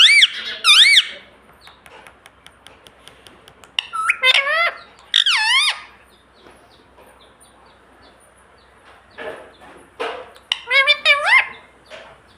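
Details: A green ringneck parrot talking, repeating "mummy" and "papa," gives three bursts of shrill, wavering, speech-like phrases rising and falling in pitch, separated by pauses with faint clicks and room noise.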